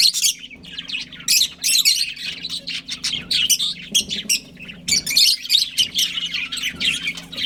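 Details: Budgerigar breeding pair kept as pets: dense bursts of high, scratchy chirps and warbles, rapid and overlapping, with a steady low hum underneath.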